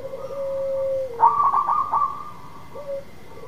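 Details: Zebra dove of a local type in full song, played to coax a silent dove to sing. A sustained even coo breaks into a rapid stuttering series of clipped notes and ends with a brief coo, over a faint constant tone.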